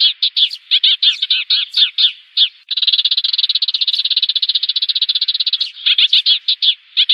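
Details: Eurasian tree sparrow calling the flock, a decoy sound used to lure sparrows for trapping: spaced, bright chirps, then a long rapid trill of uniform chirps for about three seconds, then spaced chirps again.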